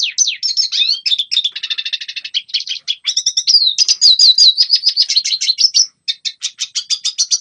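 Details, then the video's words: Red siskin singing, used for training young birds to sing: a loud, continuous run of rapid chattering trills and twittering, with quick up-and-down whistled slurs and buzzy rattles, filling the whole stretch with only brief pauses; no other sounds. "Red Siskin Singing Best Song Training - Yellow siskin tập cho chim non hót"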